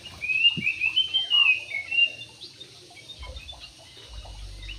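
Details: Javan pied starling kept in an aviary opens with a clear, slightly warbling whistled phrase lasting about two seconds, followed by faint scattered chips and low background rumble.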